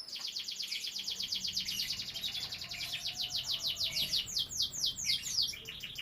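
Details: Domestic canary from a breeding setup, with young birds present, singing a fast rolling trill of rapidly repeated high notes. The rhythm stays steady for several seconds, then shifts into slower, more spaced sweeping notes near the end.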